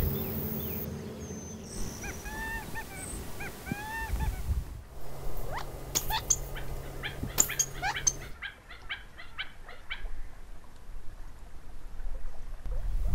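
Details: Quail calling in Texas: a run of clear arched notes repeated roughly twice a second, then abrupt cuts to denser bursts of sharp, rapid chips in quick succession, with low background noise and a brief low hum.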